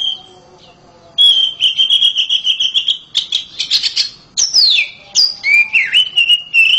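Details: Loud oriental magpie-robin kept at home: a long even trill of rapid whistled notes, then high sweeping slurs falling in pitch and bright wavering whistles continuing to the end.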